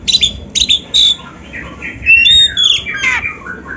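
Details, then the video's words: Oriental magpie-robin song used as a tutor recording for young, training or reluctant caged birds: sharp high whistled notes in quick bursts, then a longer varied phrase of slurred, falling and rising whistles and chattering notes. "SUARA BURUNG KACER MASTERAN"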